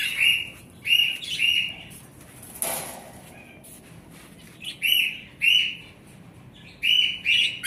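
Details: Cockatiels giving short, harsh chirping calls with a bright, ringing tone, in bursts of two or three, separated by pauses. A brief rushing noise near the middle sounds like wing flapping.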